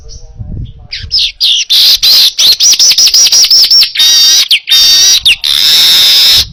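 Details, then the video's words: Baya weaver in full song, clear and vigorous, recorded as a tutor for other birds: a run of sharp chattering ticks quickening into looping whistles and drawn-out hissing buzzes. "Masteran Suara Burung Manyar Gacor Jernih"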